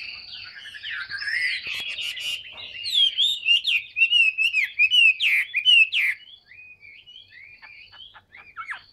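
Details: Caged, tame Chinese hwamei of large build in full song: loud looping whistles that build into a rapid, rhythmic string of notes before fading into softer twitters.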